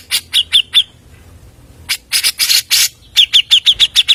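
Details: Grey-cheeked bulbul song for luring: three clipped chirps, a quiet gap, loud harsh squawking notes, then a quick string of bright repeated chirps.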